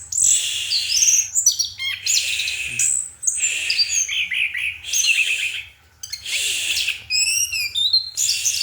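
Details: Orange-headed thrush singing at night: a rich, varied run of high whistled and chattering phrases, sliding notes and quick trills, with brief pauses between bursts and a faint low hum underneath.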